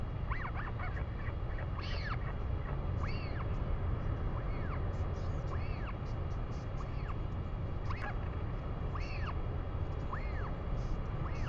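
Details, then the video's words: Northern royal albatross, New Zealand, 3 May 2020. Arched, rising-then-falling notes recur roughly every second or two throughout, set against strong continuous low-pitched wind or surf noise. "NZ Northern royal albatross"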